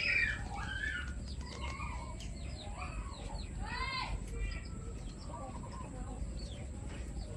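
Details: Pet chickens in a flock that includes new members make arched, harmonic clucking calls, a loud run in the middle, with a few fainter chirps around them and constant low hum.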